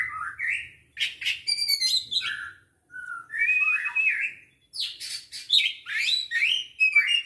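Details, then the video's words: Oriental magpie-robin from Aceh, recorded 24 December 2022, singing a lively run of varied whistled phrases that rise and fall, mixed with scratchy, buzzy notes, broken by two short pauses; the background is otherwise quiet. "Burung Kacer Aceh"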